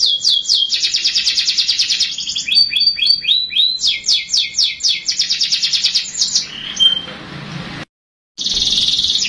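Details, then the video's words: Canary song used to get young canaries singing: rolling high trills and stepped descending slurs, then a short break and a resumed buzzy trill. "PANCINGAN KENARI MUDA AGAR CEPAT BUNYI | CANARY SOUND"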